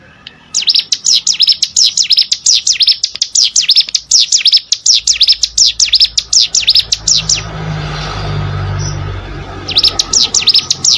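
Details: Mountain prinia (cigun) song used as training audio for competition songbirds: rapid series of high, sharp V-shaped chirps, about three per second, in bursts broken by a pause with low rumbling background.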